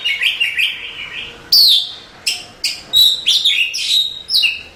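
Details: Champion contest Oriental magpie-robin (Copsychus saularis) singing: a run of short warbled notes, then loud clear whistles and sharp downslurred phrases repeated about once every second or so.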